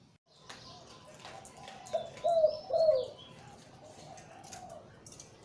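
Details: ['Breeding male zebra dove of the Liw Tan song style with a deep, big voice, giving one low rolling coo phrase of three quick bubbling notes mid-clip, with faint clicks in the background.']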